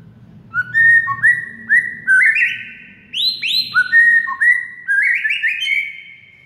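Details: White-rumped shama song used as masteran training audio to get a silent shama singing: clear whistled notes stepping up and down, short rising slurs answered by higher swooping phrases, delivered in quick bursts with brief pauses.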